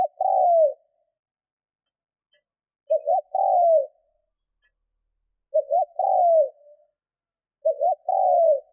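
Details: Spotted dove being trained as a decoy, cooing to stir up wild doves: end of a coo, then three repeated phrases of a double stutter note and a drawn-out falling coo about every two and a half seconds; faint ticks only.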